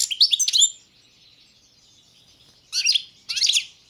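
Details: European goldfinch of subspecies balcanica singing: a quick burst of bright tinkling twitters, a long pause, then two shorter chattering phrases near the end; high-pitched and liquid, nothing else audible.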